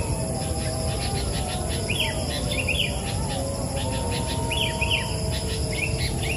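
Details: Sooty-headed bulbul, wild, calling persistently from the topmost branch of a tree: brief rising-and-falling chirpy phrases given in twos and threes at irregular intervals, with constant insect buzzing and low-pitched rumble behind.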